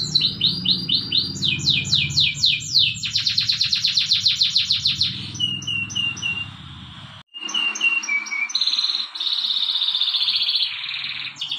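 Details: Domestic canary singing a training song in the morning: rapid high trills in changing phrases, down-slurred notes repeated about four per second, buzzy rolling passages and steady sustained tones, with a brief pause midway and a faint low hum beneath.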